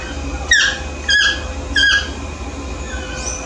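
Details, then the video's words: A yellow-throated toucan (Ramphastos ambiguus) calling in the morning gives three sharp, yelping notes that drop in pitch, roughly two-thirds of a second apart, then a fainter note, over a steady low hum. "Yellow-throated toucan (Ramphastos ambiguus)'s Concerto del Mattino."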